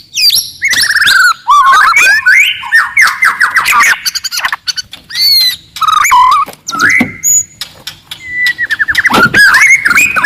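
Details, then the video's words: Forest white-rumped shama in loud, aggressive song meant to anger rivals, a dense rush of whistled slurs, rapid chattering notes and harsh bursts, barely pausing, with a few clear sustained whistles near the end. "KICAUAN MURAI BATU HUTAN, VOLUME KERAS, AMPUH MENAIKAN EMOSI LAWAN"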